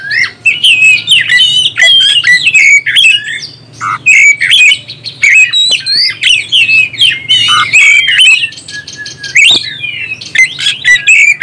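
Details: Oriental magpie-robin in full song meant to rouse other birds: bright chirps, slurred whistles and mimic-like twittering in quick succession, with a faint low hum underneath.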